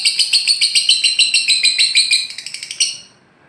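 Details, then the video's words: Lovebird ngekek trill, used to coax caged birds into singing: a fast series of sharp, repeated chirping pulses about five per second, running for three seconds before fading out. "Pancingan Burung love bird langsung ngekek"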